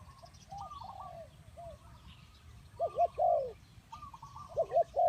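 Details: Spotted dove, or tekukur, as a trapping lure: soft distant cooing for several seconds, then two loud phrases of quick coos near the end, faint small birds in the background.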